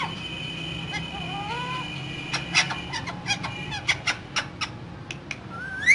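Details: Two caged green parrots, described as talking, give soft whistled slides early on, then a string of sharp clicking chatter notes and a final rising whistle, over a constant low room hum.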